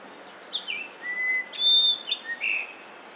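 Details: Song of a yellow-billed grosbeak in Korea, early May 2024: a melodious run of pure whistles, a long steady note, then a sharp upslurred note and a final buzzier flourish.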